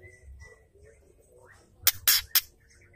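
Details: White-rumped shama female, ketrekan call for stimulating males: after faint thin whistles, three sharp, harsh rasping bursts come in quick succession near the end.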